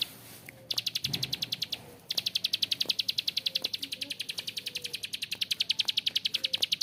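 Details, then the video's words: Harsh ngebren calling of a bar-winged prinia: a rapid train of high, rasping clicks starts after a short gap, pauses for about a second, then resumes and runs on steadily. "PRENJAK KLIK GACOR ‼️Ngebren Panjang suara kasar"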